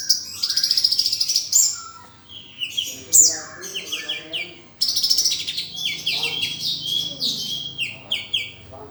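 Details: High, varied sunbird song meant for tutoring kept songbirds: bright squeaky warbles, rapid downslurred chirps and tinkling notes that tumble through the phrase almost without a pause, with faint low room noise.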